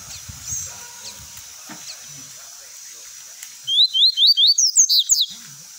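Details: Double-collared seedeater in 'golão tui tui' song, a tutoring model for young birds: faint murmuring voices at first, then about ten rapid high, upslurred whistles in a steady, fairly regular series.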